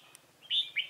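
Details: Red-whiskered bulbul used as a decoy to lure wild rivals into a trap, recorded 28 October 2018: a brief burst of two clear whistled notes, the first sliding upward, the second dropping, over a soft low hum.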